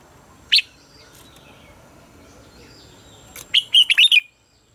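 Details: Red-whiskered bulbul morning song for training caged bulbuls: one sharp opening note, a quiet stretch with faint background hiss, then a quick, bright run of whistled, warbling notes near the end.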